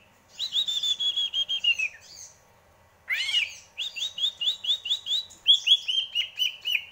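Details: Greater green leafbird song: a long wavering whistle dropping slightly at its end, a harsh rising sweep, then a quick run of repeated bright slurred notes with a downward lilt, delivered in rhythmic bursts.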